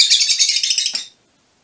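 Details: About one second of shrill, densely packed buzzy chatter from mutation Fischer's lovebirds, fading out into silence.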